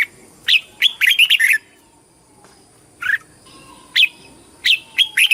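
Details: Red-whiskered bulbul competition song: a rapid run of bright, slurred whistled notes, a pause, then shorter warbled phrases returning every second or so.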